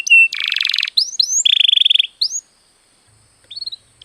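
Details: Canary singing as a lure to encourage other birds to sing: a clear whistle, buzzy trills and rising upslurred notes in quick varied phrases, followed by near silence and a brief soft chirp.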